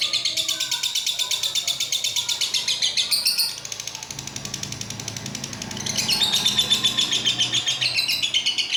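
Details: Long-lasting ngekek trill from a pet lovebird: harsh rapid pulsed chatter, dipping quieter midway for a couple of seconds before surging back to full strength and continuing steadily.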